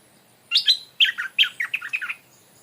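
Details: Caged stripe-throated bulbul used as a decoy in the Thai forest where it was caught, calling at a new territorial bird. Loud bubbly, warbling phrases with quick rising and falling notes in bursts over about a second and a half, quiet background.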